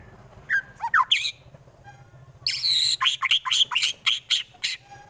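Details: White-rumped shama, a fighter bird from Wonosobo, Central Java, Indonesia, singing a harsh full-volley song meant to provoke rival birds into fighting: sliding whistles, then a fast run of loud sharp notes near the end.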